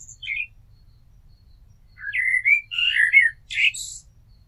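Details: Short blackbird song: a brief chirp, then a melodious strophe of slurred fluting notes climbing into a squeaky, high-pitched closing twitter.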